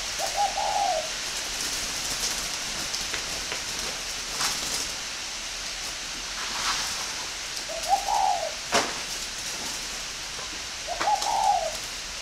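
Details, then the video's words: Northern-type spotted dove from a bird farm in Ba Vì, Hanoi, utters three short, isolated coo phrases spaced several seconds apart, with faint hiss and occasional knocks and clicks between them. "chim cu gáy hay miền bắc"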